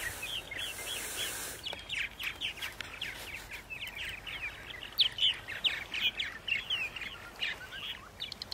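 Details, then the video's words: Purple martins at 8:30 AM on April 14, 2012, in Center Moriches, Long Island, New York: a dense, continuous stream of high, throaty chirps and slurred twitters from several birds, growing louder midway, over a faint hiss. "Purple Martins on April 14, 2012 in Center Moriches, Long Island"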